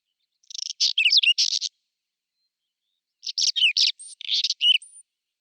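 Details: Spring song of a Whinchat, April 2020, two bursts of high scratchy, rattling notes interwoven with sharp whistled slurs, the second phrase ending in a thin upward whistle.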